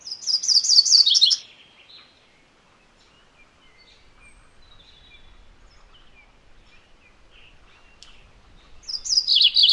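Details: Two songs from a MacGillivray's warbler, each a burst of rapid, high slurred notes lasting just over a second, separated by roughly eight seconds of near silence with a few faint distant chips.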